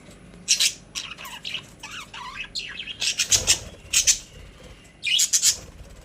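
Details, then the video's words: A group of budgerigars in a cage warbles steadily, giving high squeaks, twittering phrases and sharp chirps in uneven bursts, with a louder cluster of notes near the end. "My Happy Budgies | Spreading Love in the Cage"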